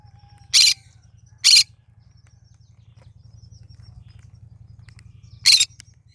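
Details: Cinnamon green-cheeked conure singing: three loud, raspy squawks, two close together and a third about four seconds later, over a constant low electrical hum.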